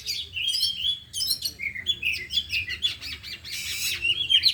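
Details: Oriental magpie-robins, four caged birds at afternoon training, deliver their 'isian' repertoire: a rapid, unbroken run of high whistles, slurred notes and rasping chirps that sounds like several birds singing over one another.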